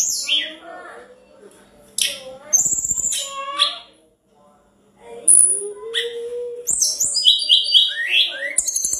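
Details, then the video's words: Tledekan gunung in full, lively song, used as a master recording said to provoke rival birds into responding: a varied phrase of slurred whistles, sharp high notes and quick trilled runs in bursts with short pauses. "tledekan gunung gacor dor,bikin musuh langsung respon"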